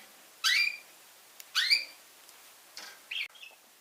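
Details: Young red factor canary singing: four short, bright chirped notes, each a quick downward sweep with ringing overtones, spaced roughly a second apart, the last two softer and clipped, over a quiet background.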